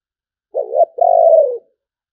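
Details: A short spotted dove coo in the sấm bầu style: a low wavering note running into a long, throaty, slightly falling coo.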